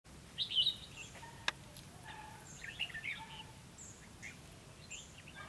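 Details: Red-whiskered bulbul decoy bird giving its fighting song, used to trap wild bulbuls: two short bursts of bright, slurred warbled notes roughly two seconds apart over steady background hiss.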